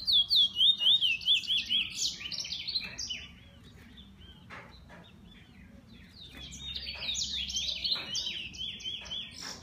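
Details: Owned bullfinch in song. It opens with a fast rhythmic trill, falls quiet midway with faint background hiss, then resumes with a burst of high, quick chattering notes.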